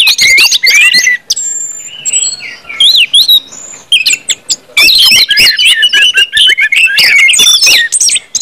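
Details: Orange-headed thrush song of the ngeplong type, played to spur other birds to sing: bursts of twisting high whistles and clicks, a quieter stretch with thin drawn-out notes, then a busy jumble of varied phrases.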